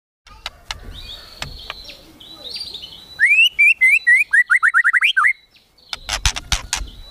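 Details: White-rumped shama singing in the kretekan tembakan style, meant to provoke emotion: faint clicks and buzzy notes, then a fast run of loud rising slurred whistles, followed by sharp clicking bursts.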